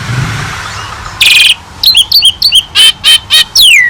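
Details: Jalak suren, Asian pied starling, in a vigorous master recording for training songbirds: after a second of low background rumble comes a buzzy burst, then quick repeated whistled chirps and a long descending whistle.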